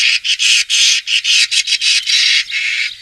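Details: Common starling, a bird said to live in flocks and to be a pest in crops, giving a string of harsh, raspy, hissing bursts of varying length, about ten in three seconds, with brief gaps between them.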